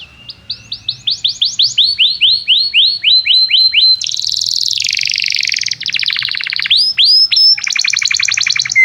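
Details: Energetic canary song played to teach juvenile canaries their song: a run of rising whistled notes repeated about four per second, followed by dense buzzy trills and quick rolling phrases with a final upward whistle.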